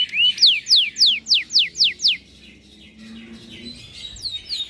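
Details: Canary song in 'cengkok mewah' style: eight clear down-slurred whistles in quick succession, then the singing drops to faint, soft high notes and a few distant chirps.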